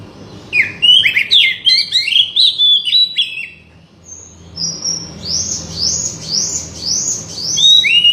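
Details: Oriental magpie-robin song used to prompt a silent bird to sing: a fast, scratchy chatter of varied notes, then a series of high, arching whistled notes repeated about every half second.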